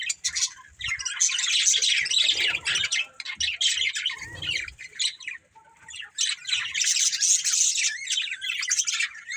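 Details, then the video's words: Breeding pair of budgerigars in lively chatter: harsh squawks mixed with rapid high chirps, in two long runs split by a quieter gap with soft low knocks. "Beautiful Budgies Chirping Sounds"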